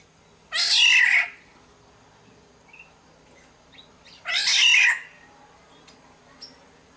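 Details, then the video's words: Black-naped oriole from Sumbawa, played as a lure: two rasping, nasal, meow-like calls about four seconds apart, each under a second long, with a few faint chirps between them. "Pancingan suara burung kepodang SUMBAWA"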